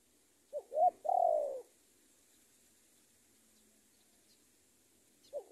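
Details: Decoy spotted dove luring a rival: one full phrase of two short notes and a long downward coo, then a long pause before the next phrase begins at the end.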